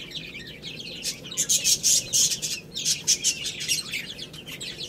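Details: Chicks pecking at rice, with rapid bursts of high, sharp peeps and clicks in quick succession, over a low hum.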